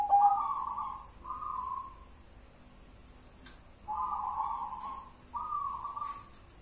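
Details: Zebra dove, local natural bird, singing in the ngelaras one-and-a-half engkel style: soft, hollow coo notes in pairs separated by a short pause, with faint clicks in the background.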